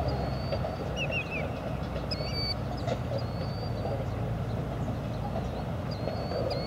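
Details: Killdeer captured with a Panasonic TM90 camcorder, giving high, thin whistled notes and a few short stuttering chips, spaced irregularly over a constant low droning rumble.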